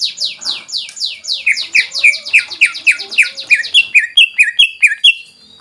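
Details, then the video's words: Greater green leafbird pouring out its full repertoire to excite other birds: a fast, evenly spaced series of high notes sweeping downward, shifting midway into lower, clipped whistles repeated about four times a second. "CUCAK IJO SUPER GACOR FULL BONGKAR ISIAN BUAT PANCINGAN DAN MENAIKAN EMOSI"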